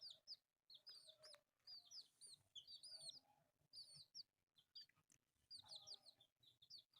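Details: A group of four colourful pet chicks, playing, produces bright, high-pitched chirps in uneven runs of two to five notes separated by short silences. Faint rustling and a few clicks are also audible.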